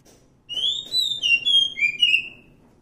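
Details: A wild Oriental magpie-robin sings a sweet whistled phrase: a rising note, then a string of level and falling whistles, over a soft low background murmur.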